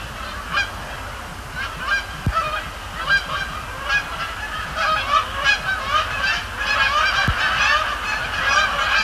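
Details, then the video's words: Canada geese at night over Sapsucker Woods Pond during fly-overs and landings, a busy stream of overlapping nasal honks from many birds, rising in density toward the end over low background hum. "Canada Geese, Thursday night at Sapsucker Woods"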